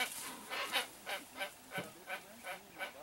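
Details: Hoatzin parents with their chick, seen from inside a boat along a riverside; a series of hoarse, wheezing calls repeated roughly every third of a second, over a steady background hiss.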